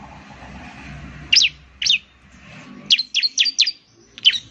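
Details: Bar-winged Prinia lure call: two separate chirps, then a quick run of sharp descending notes and a final pair, over low background hum.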